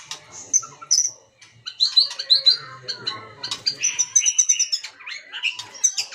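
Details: Lure song of a white-rumped shama meant to provoke other birds to sing, with varied loud whistles, fast repeated chips and a trilled high phrase, delivered in dense, continuous bursts.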